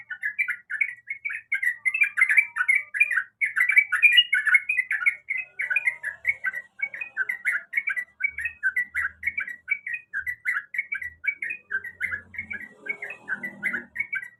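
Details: Female sooty-headed bulbul calling the male: a long, fast, even chatter of bubbling whistled notes, several per second, continuing throughout with barely any gaps, faint thumps in the background.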